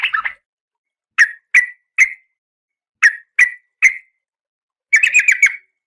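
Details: Calling oriental magpie-robin female, in breeding condition and seeking the male: a quick chatter, six spaced single sharp notes, then a closing rattle of rapid buzzy notes.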